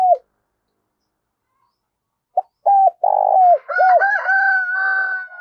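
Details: Decoy spotted dove calling in thúc and gáy gọi style to excite and train birds: a brief coo, then short hooked coos and a long throaty coo, followed by sustained higher whistled tones overlapping the low notes.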